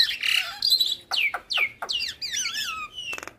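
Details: Javan myna singing energetically with full mimicry fill-ins as a master recording for training other mynas: quick sharp downslurred whistles in succession, then twisting warbled whistles and a brief buzzy rattle at the end.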